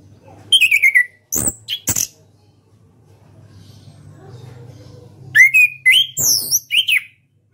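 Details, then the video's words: Caged national champion orange-headed thrush singing in the ngeplong style: two bursts of loud song, a falling whistled trill and sharp high notes, then after a quiet gap a run of varied rising and slurred whistles, over a low steady hum. "KICAU ANIS KEMBANG NGEPLONG"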